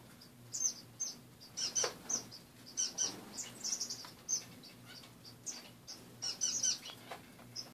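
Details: A group of finches in an indoor cage with perches removed, heard in the morning: bright, very high short chirps repeated in loose runs, a few fuller bursts, steady low room hum underneath.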